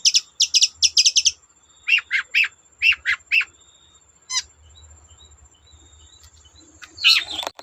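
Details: Long-tailed shrike song meant to get untrained shrikes singing: a quick series of sharp high ticks, then paired slurred notes in short groups, a single clipped note, and a harsh burst at the end.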